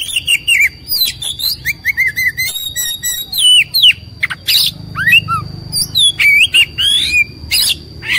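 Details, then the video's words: Oriental magpie-robin in an agitated, fighting display sings varied slurred whistles, short repeated notes and harsh bursts over a steady high continuous tone and a low background hum. "KOMBINASI VARIASI KACER NGAMUK | KACER NGOTOT | KACER NGOBRA | KACER BUKA EKOR | KACER TARUNG"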